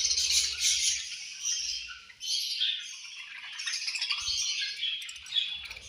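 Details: Budgerigars chirping angrily around lunch time, many birds at once: shrill, scratchy twittering and squawky notes pouring together without pause, with faint low knocks now and then.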